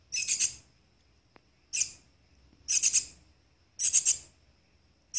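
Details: Nestling Shiny cowbird being looked after, host to 27 Philornis larvae, uttering rasping, buzzy begging calls in short pulsed bursts roughly every second, with a faint click between.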